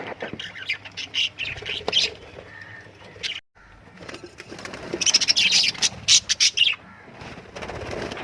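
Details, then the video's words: Lovebirds chatter in rapid, shrill chirps repeated several times a second, with a short silent break midway, then a dense burst of piercing twitters before fading to a hiss. "love birds singing sounds"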